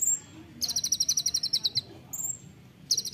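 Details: Olive-backed sunbird, local name kolibri ninja, delivering a rapid 'nembak rapat' trill: a thin, very high note repeated about ten times a second for over a second, then a high whistle and another trill beginning.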